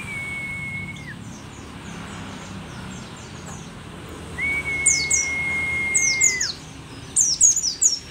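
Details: An old pleci dakun mountain white-eye from Merapi sings: soft high chirps, then louder clusters of sharp falling notes, while two long flat mid-pitched whistles sound, the second lasting about two seconds.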